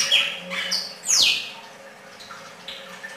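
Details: Singing red-crested cardinal giving quick clear notes, then a loud, fast downward-sliding whistle, trailed by softer scattered chips over a faint constant hum.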